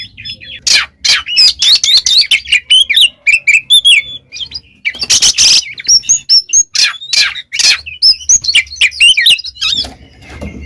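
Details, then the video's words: Oriental magpie-robin delivering energetic gacor ngeplong song for pet-bird training, a dense stream of quick whistled twitters and slurs broken by loud harsh noisy bursts, nearly continuous throughout. "SUARA burung Kacer GACOR NGEPLONG"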